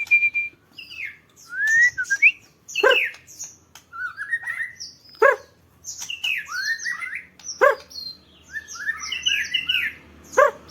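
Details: Sunbathing songbird opens on a steady whistle, then pours out varied chirps, slurred whistles and twitters in quick bursts, punctuated by several sharp clicks.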